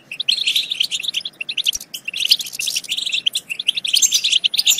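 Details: Goldfinch song to spur goldfinches into singing and mating: choppy bursts of high, tinkling chirps and short trills, starting after a quiet half second and continuing in lively, uneven phrases.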